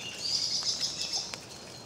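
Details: Redwings in Cornish woodland during February rain; a run of thin, high, slightly buzzy call notes in quick succession, with the patter and hiss of rain behind.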